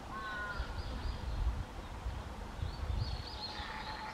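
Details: An Oriental dollarbird pair in courtship in Fukuoka, Japan, on 9 June 2022 gives harsh, grating calls, a short burst at the start and another near the end, over a steady low rumble of wind.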